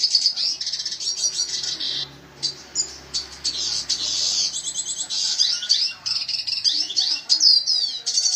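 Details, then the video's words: Red siskin singing 'gacor': long runs of high buzzy twittering and rapid chirps, with a few brief gaps and faint low background hum. "BURUNG RED SISKIN GACOR"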